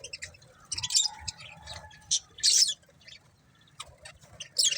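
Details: Budgerigar breeding pair chirping: a few scattered, scratchy high chirps and one louder buzzy chatter burst, separated by quiet gaps, with faint low rustling underneath.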